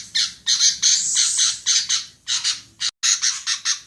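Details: Female sooty-headed bulbul (kutilang) voice used to lure birds: loud, harsh, buzzy high notes in short bursts, repeated rapidly with brief gaps.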